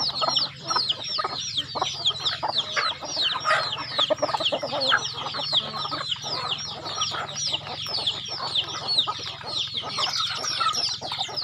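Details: Farm chickens being fed at home: a constant chorus of shrill, downslurred peeps repeated rapidly by many birds, over a low steady hum and soft clucks.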